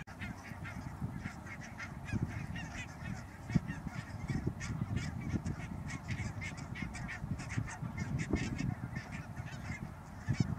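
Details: Many barnacle geese calling together in the Netherlands on 16 March 2009, Schouwen-Duiveland area: rapid overlapping short yelps and barks form a steady chorus, set against strong low background rumble.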